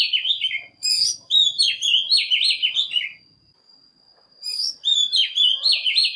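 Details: Lure recording of an Oriental magpie-robin to draw in and provoke other birds: rich whistled warbles rising and falling in quick bursts, a pause of over a second, then more fluty phrases, with a constant thin high tone throughout.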